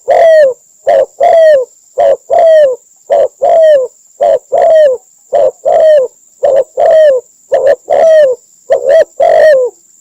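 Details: Trapping-lure recording of a spotted dove in Cambodia: a long steady series of about eighteen loud, low, overdriven coos, short and longer falling notes in regular alternation, with a faint constant high whine.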